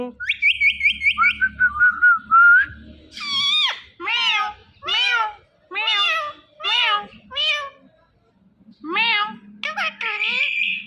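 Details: Pet talking rose-ringed parakeet: a rapid string of short high chirps and a whistle, then about six loud, nasal, meow-like syllables about a second apart, ending in harsh high notes.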